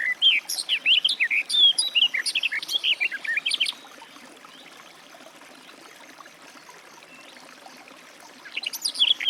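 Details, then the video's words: Garden warbler (Sylvia borin) song: a rich, hurried warble for about four seconds, then a long quiet gap with soft background, and a new phrase beginning at the end. "Warbler garden, birdsong"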